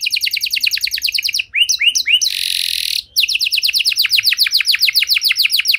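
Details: Extended canary song with elaborate turns, played to bring stalled canaries back to singing: quick repeated rising notes, a few slurred whistles, a short harsh buzz, then fast chirping notes again.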